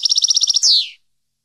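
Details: European goldfinch, part of a song made for training captive goldfinches: a fast even trill of about a dozen high notes followed by a loud buzzy, falling nasal note.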